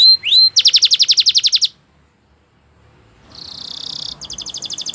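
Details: Canary singing a champion training song: two rising whistles, a loud rapid rattling trill, a silent pause, then a soft hiss swelling into a fast chattering trill.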